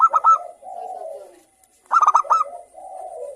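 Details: Local zebra dove singing lively in the morning: a bright, stuttering burst of quick notes drops into a lower, drawn-out purring coo, and the whole phrase comes twice with a short silent pause between.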